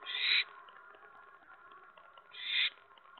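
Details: Owl calling before dawn, around 5:30 AM on 8 January 2017, heard from a hide: two short, harsh, raspy bursts about two seconds apart over a steady faint background hum.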